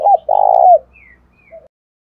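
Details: Decoy spotted dove calling to attract wild doves, 'thổ đồng' voice: one short coo followed by a long, steady, full coo, then a faint final note.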